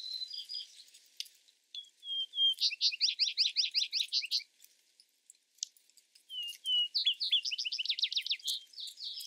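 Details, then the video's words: Vesper sparrow singing twice: each song opens with a pair of level clear whistles, then breaks into a fast run of buzzy, rattling notes lasting about two seconds. A faint gap of near silence separates the two songs. "Vesper Sparrow Bird Sound Bird Song Bird Calling"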